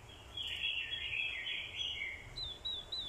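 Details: Orange-headed thrush fighting song from a decoy bird, provoked by a female's call: a tumbling high warble, then a few thin upslurred whistles, heard over a steady background hiss.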